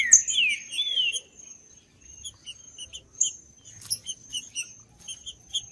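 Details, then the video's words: Green-winged saltator in Judas style, for warming up a cold bird. Two looping whistled phrases at the start, then only soft high chirps from other birds under a constant thin tone. "MELHOR VÍDEO PARA ESQUENTAR TRINCA FERRO FRIO 2024 | TRINCA FERRO CANTANDO TRINCA FERRO JUDAS"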